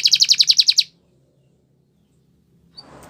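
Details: Spanish Timbrado canary training song: a quick, bright trill of about ten even, pulsed notes in under a second, then silence and a faint soft rustle.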